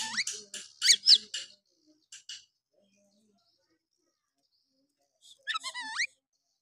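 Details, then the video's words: Oriental magpie-robin singing in the harsh 'nembak' style, used as a lure to rouse quiet males. A burst of rapid buzzy, chattering notes with a rising whistle, a long pause, then a quick run of stacked rising whistles. "Pancingan Kacer malas bunyi. bangkitkan emosi Kacer lain"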